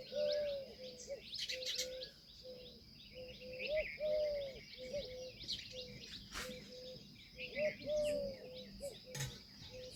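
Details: Indian peafowl calling almost continuously: many short clipped notes interspersed with a few longer drawn tones, steady rhythm throughout, with chirping small birds and occasional sharp clicks.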